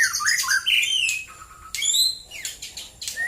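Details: Morning song of a white-rumped shama near Prambanan, Central Java: loud dense run of rising and falling whistles with harsh squeaky notes, delivered almost without a break.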